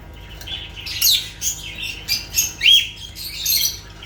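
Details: Lovebirds squawking: rough, scratchy bursts and piercing chirps about every half second, one clear rising shriek near the end, irregular rhythm, close and indoors.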